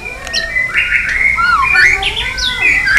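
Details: White-rumped shama delivering a many-voiced fighting song: a continuous flowing warble of gliding, slurred whistles rising and falling over steady background hiss.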